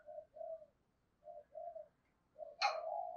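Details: Spotted dove of the 'giọng thổ' voice calling to provoke wild doves, heard softly and at a distance: pairs of low hooting coos with gaps, then a sharp click or knock at the end with the coo continuing.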